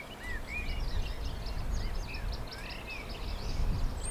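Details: A Tenerife robin, the Tenerife subspecies of European robin, in a swaying tree on Tenerife in April, gives thin, high whistled notes and short warbled phrases in quick succession, faint beneath a steady low rumble of wind.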